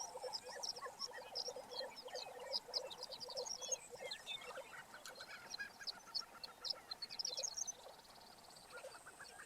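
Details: Several lesser prairie-chickens calling together on a lek in Kansas, April 19, 2015: low bubbling gobbles mixed with rapid high cackles and yips, overlapping continuously for several seconds.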